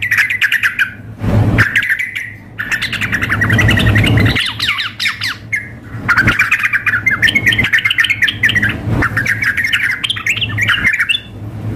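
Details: Yellow-vented bulbul: a female calling a male, blended with a lively, fired-up singer as a contest simulation. Harsh squawky chatter and rapid bubbling phrases overlap, with a constant low hum behind.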